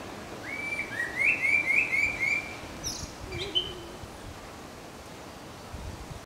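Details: Indian blackbird singing at Nandi Hills, with a clear whistled phrase that breaks into a quick run of bright repeated notes, followed by a few scattered high chirps, and quiet background afterward.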